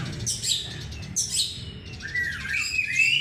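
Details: Short burst of Oriental magpie-robin lure song: two harsh, high squeaky bursts followed by a sliding whistled phrase that climbs at the end, over low background hum.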